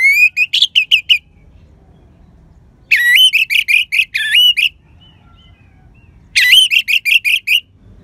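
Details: Orange-headed thrush in vigorous, crystal-clear song, used as a lure to stir sluggish or silent birds into singing; three bursts of five to seven loud, ringing, harmonic whistled notes, separated by quiet pauses.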